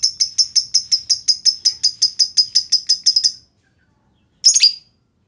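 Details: Lovebird giving the long trill known locally as ngekek panjang, used as a lure to set other lovebirds singing: about seventeen sharp, high, evenly repeated notes over three seconds, a pause, then one short harsh burst.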